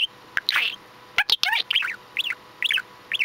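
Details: Pet male budgerigar chattering while preening and bathing in hot summer weather: quick varied warbles, sharp clicks and short rising-falling whistled notes in rapid irregular bursts.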